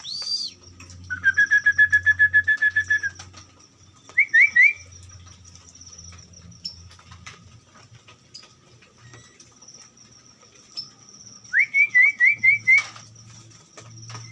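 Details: Orange-headed thrush in a colony breeding cage for captive breeding. It gives a long run of quick, evenly repeated whistled notes, then two brief bursts of rising slurred whistles. A low hum sounds between the phrases.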